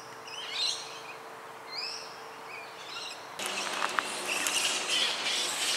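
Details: Eastern rosella filmed in suburban Melbourne, Australia: three clear rising whistled calls, about a second apart, then a burst of loud, hissing broadband noise with faint clicks.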